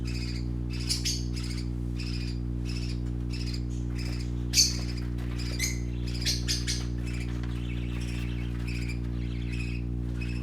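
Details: Colourful baby parakeets at play give quick, scratchy chirps in irregular bursts, several per second, over a steady low electrical hum.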